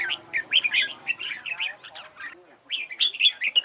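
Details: Red-whiskered bulbul in competition song, played for singing practice: quick, liquid chattering phrases rising and falling, a short gap midway, then more lively warbling notes.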